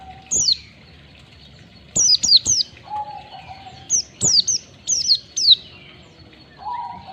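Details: White-eye lure song for prompting caged birds: a single falling chirp, then groups of sharp descending high notes, interspersed with a lower, flat whistle.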